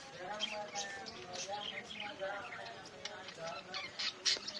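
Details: Captive zebra finches in a new aviary setup give quick nasal, honking beeps like a toy trumpet, several birds calling over one another many times a second, with faint hiss behind them.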